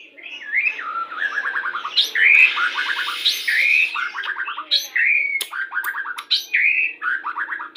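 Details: White-rumped shama, Pastol type, in full lure song for pairing to bring birds into breeding condition: loud, varied phrases of clear whistles, each followed by a quick stuttering trill, repeated with sharp chips between.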